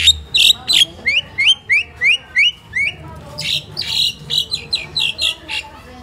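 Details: Pet crested myna at home in the Philippines, a mimicking bird, repeating clear rising whistled notes about three per second, then switching to a run of scratchy, high chirps.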